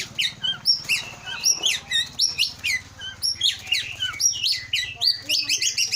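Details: Aceh Leuser white-rumped shama, a caged breeding and contest bird from Aceh, Indonesia: fast, energetic song of sharp descending whistles and chips, pulsing in bursts about every half second, with a low background hum.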